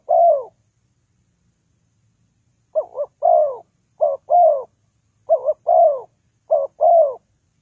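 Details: A spotted dove's call, played to lure birds into traps. A single long falling croo, then a two-second silence, then four quick pairs of short quavering and longer sliding coo notes. Nothing else is heard.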